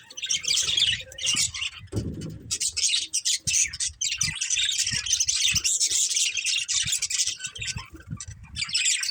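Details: Breeding budgerigar pair in family housing, chirping and chattering nonstop with rapid high scratchy warbles and squawky notes, plus occasional thumps and rustling.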